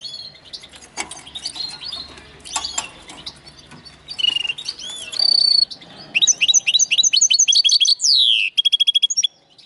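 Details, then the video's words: Linnet x canary hybrid singing: soft scattered twitters and chips at first, then loud rapid high trills and repeated sharp notes, each phrase a quick string of clipped syllables, in a fast continuous delivery. "Linnet x canary φανετο χ καναρα"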